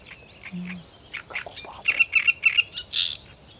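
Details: Great reed warbler song: varied creaky and rattling notes build into a quick series of harsh, repeated chirps, closing on a loud, hissing burst. A short low hum sounds near the start.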